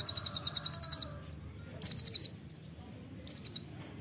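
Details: Olive-backed sunbird 'nembak rapat' song meant for training songbirds: a long rapid high trill, then two short bursts of the same sharp pulsed notes after pauses.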